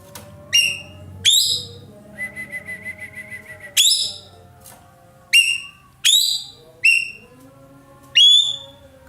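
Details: Roller, known locally as ekek keling, calling loudly and steadily: sharp, harsh notes that fall in pitch, repeated about every second, with a brief run of quick even whistled pulses in between.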